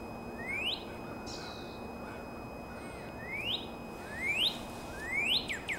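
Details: Northern cardinal in April giving bright, rising whistled slurs, one early, then three more growing louder after a gap, each sweeping quickly upward and ending sharply.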